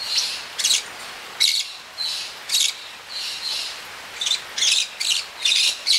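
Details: A maroon-bellied conure, being trained to bring a coin to a platform for food, gives harsh, scratchy high-pitched calls in short bursts, about two a second, with brief pauses between.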